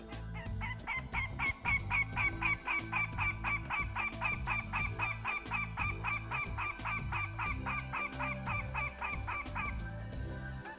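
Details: Adult Northern Goshawk alarm call broadcast as playback during a survey of mature ponderosa pine and mixed conifer nesting forest in Colorado. Harsh, even notes repeat about four per second for nearly ten seconds over a steady low rumble.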